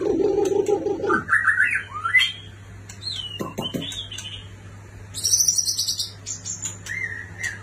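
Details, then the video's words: A white-rumped shama from a neighbouring country: a low buzzy opening, then rising and falling whistled slurs climbing higher, ending in sharp high-pitched chatters and thin notes, with a constant low hum behind. "MURAI BATU ISTIMEWA DARI NEGERI TETANGGA"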